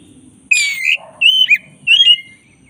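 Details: Black-breasted white-rumped shama, a caged bird, gives three loud whistled phrases, the first long and harsh, the others clear and slurred, over a low rumbling background.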